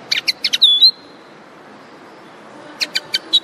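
Common linnet song: a burst of quick, dry twittering notes and a clear, sliding whistle, then a short pause and four more high chirps.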